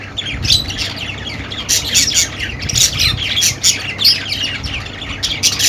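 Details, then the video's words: Pet budgies chattering: a steady stream of overlapping high chirps, squeaks and harsh squawks from several birds, rapid short notes with brief louder bursts, a faint low hum underneath. "Budgie Sounds for Lonely Budgies"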